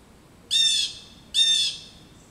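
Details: Blue Jays, upset by an adult male Osprey roosting in a back yard, give two harsh, raspy jeer calls about a second apart, each a brief grating blast, over quiet outdoor background.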